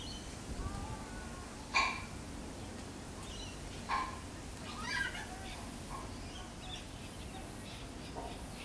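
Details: Yellow-tailed black cockatoo (Zanda funerea) in a eucalyptus tree in urban Sydney gives three short, wailing calls a second or two apart, the last drawn out and wavering, over a steady low wind rumble.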